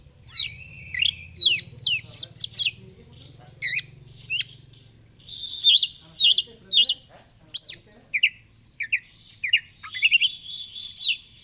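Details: Energetic fighter-style song of a kept oriental magpie-robin flaring its feathers: dense bursts of upslurred whistles and chirps, a long level whistle near the start and another near the end, with a low hum early on.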